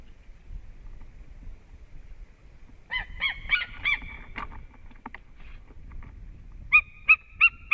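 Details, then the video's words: White-tailed eagle pair at a Latvian nest, male coming in to the female in March; quiet start, then a burst of yelping notes, a pause, and four loud, spaced yelps at the end. "Male came in Happy reunion"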